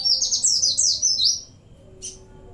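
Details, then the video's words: Energetic Oriental white-eye song laced with cililin-style phrases: a fast run of piercing, sliding high chirps for over a second, then a pause and one short sharp note. "pleci gacor isian CiLiLin sambung bren cigun"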